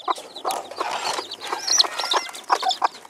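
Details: Silver Phoenix hen clucking among her chicks: brief muffled clucks in uneven bursts, bright high chick peeps rising and falling throughout, fairly loud and close.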